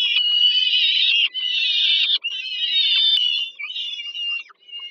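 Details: Nestling peregrine falcons in Warsaw, Poland, begging while their mother serves dinner at the Żerań heat plant, 15 July 2022: overlapping, continuous rasping wails in long stretches, fading at the close.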